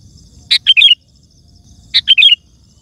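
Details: Sooty-headed bulbul song used to call wild birds in forest or garden: two identical short bursts about 1.4 seconds apart, each a sharp note followed by quick bubbly whistled notes, over a faint low hum.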